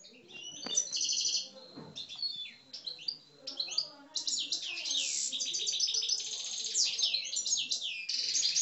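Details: In an aggressive song, caged Algerian parva goldfinches pour out high, metallic twittering phrases, liquid chirps and fast rattling trills, some phrases separated by short breaks.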